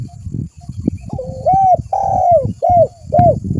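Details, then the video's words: Spotted dove used as a lure, a drawn-out coo followed by short arched notes, heard over low rumbling noise. "Suara burung tekukur gacor buat Pikatan"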